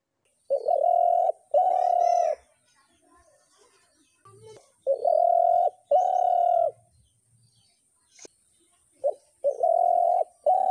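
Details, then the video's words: Spotted dove giving paired long, level, hollow coos in a steady rhythm, three pairs in sequence, with a faint high hiss underneath. "ঘুঘু পাখির ডাক"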